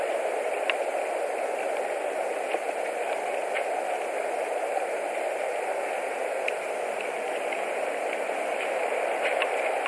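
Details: Steady static hiss with a constant mid-range hum and a few faint clicks, and no animal calls.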